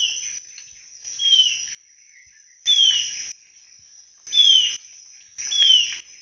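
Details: Alagoas antwren (Myrmotherula snowi), a critically endangered Brazilian antwren, gives a clear, high, downslurred whistle about every one and a half seconds over a steady high insect buzz.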